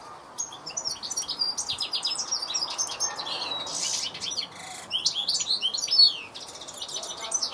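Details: European goldfinch song: fast twittering of high, thin tinkling notes and short buzzy trills in quick irregular bursts, with a steady low background hum.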